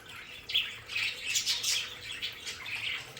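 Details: Pet budgerigars in their home aviary play area giving a burst of scratchy, chirping chatter in quick irregular notes over a steady hiss of running water.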